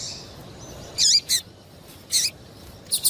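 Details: Calls of a female double-collared seedeater, meant to get the male singing: a few sharp, high chirps, each dipping downward, spaced about a second apart over a quiet background.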